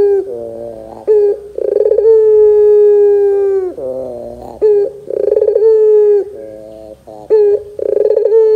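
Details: Lure calling of a Barbary dove, used to prompt young doves to respond: repeated cycles of a bubbling trill, a long even coo, and a quieter lower throaty phrase, with short sharp rising notes between them.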